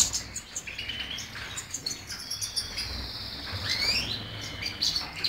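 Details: European goldfinch singing: faint, high twittering with thin whistled notes sliding and sweeping, some rising near the end, over a soft background hiss.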